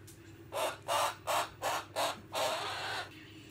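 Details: Young female pet cockatoo indoors giving five harsh, raspy screeches in quick succession, roughly every third of a second, ending in one longer drawn-out screech.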